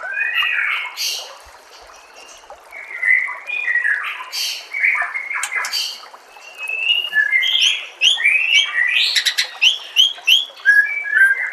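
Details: White-rumped shama song used as tutoring material for captive birds: a rich, varied run of clear whistled phrases and sharp chirps, some sliding up or down, with brief pauses and bursts of fast high notes near the end.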